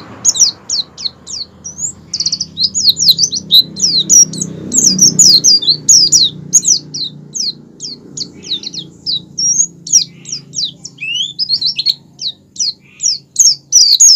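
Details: Oriental white-eye; song; lure to make other white-eyes sing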